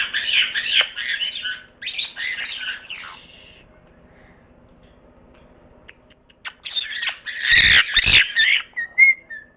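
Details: Parrot giving harsh, raspy chattering calls in bursts, a pause of near silence, then more loud scratchy chatter ending in a short whistled note.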